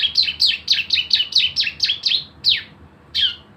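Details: Javan white-eye in 'nembak bren' rapid-fire song style, used as a lure to get birds singing: a quick run of sharp, high, downslurred chirps about four per second, then two separate notes after a pause.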